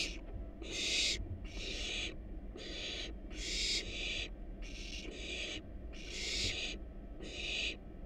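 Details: Wild barn owl nestlings in a research-monitored nest box, hungry at feeding time with a rat and a rabbit; rasping, hissing screeches about half a second long come in a loose series, over faint low background rumble.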